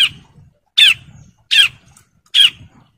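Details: Male bar-winged prinia in breeding condition calling females: three harsh, buzzy notes spaced about three-quarters of a second apart, with soft low rustling between them.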